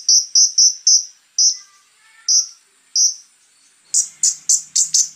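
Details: Konin with a coarse, lively 'tembakan' song: four quick, high, piercing notes, then slower single notes spaced about a second apart, then five harsher notes in quick succession.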